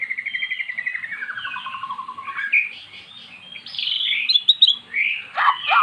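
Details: Magpie-robin, previously mute, singing in response to played-back song: a long descending series of rapid repeated notes, then bright rising whistles and a sharp scratchy burst.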